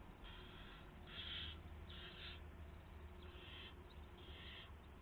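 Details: Owl calling at the nest at 1:00 AM on March 24, 2016, with a gopher delivered as prey. Five raspy, noisy hisses, each about half a second, are spaced roughly a second apart over a low background hum.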